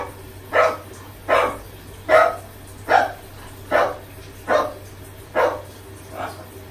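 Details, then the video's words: Macaw parrot copying a dog's bark learned in the park, uttered while showering; eight rough bark-like bursts at a regular pace of about one every 0.75 seconds, the last softer, with a low background hum. "Parrot Barking Like A Dog"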